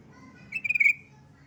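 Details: Yellow-vented bulbul calling a rival: one short bubbly burst of about five quick pulsed notes at a steady high pitch, lasting under half a second, over low background hum.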